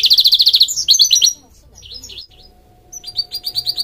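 Goldfinch hybrid singing: a fast, high, bright trill of about a dozen notes, then twittering phrases, a short pause, and more rolling trills over a faint steady hum.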